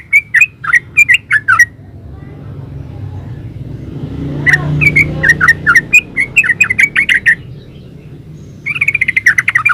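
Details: Yellow-vented bulbul (trucukan) in lively "gacor ropel" song, recorded as a master for training caged bulbuls to reply. Quick clusters of bright, warbled chirps, then a low rumble under a long chattering run and a final rapid burst.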